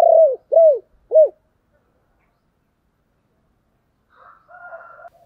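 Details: End of a spotted dove's low 'tiếng chìm' lure coo, used to stir decoy birds: three short descending coos, then silence and faint distant bird chatter.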